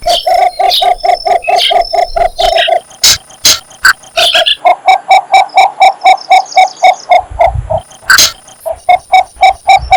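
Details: Cinnamon bittern calling for a mate: a steady run of short, hollow clucking notes, about four per second, with a brief pause midway; sharp high chirps and clicks from other birds break in.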